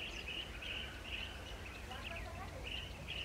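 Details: Nesting Blue-tailed bee-eater: repeated, rolling, burry trills about twice per second, with short gaps and a softer warbled phrase midway, over low background noise.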